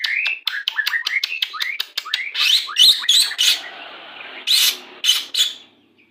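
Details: White-rumped shama song used during pairing to hasten breeding condition: a rapid series of short rising chirps about three per second, then harsh, noisy bursts mixed with high whistles.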